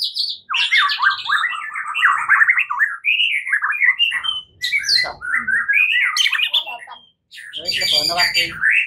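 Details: Continuous morning song of a white-rumped shama in fighting form: dense tumbling warbles and whistles, jumping between high and low notes, with a harsh rattling burst near the end.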